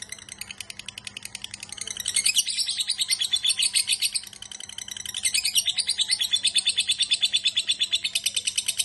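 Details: Lovebird named Biola giving a long ngekek chatter, day and night: a rapid pulsed stream of shrill buzzy notes rising in loudness, over a low steady background hum.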